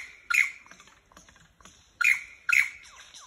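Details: Lyrebirds in Dandenong, Australia: three loud, explosive, ringing notes, one at first and then a close pair, over quieter chirps and soft whistles.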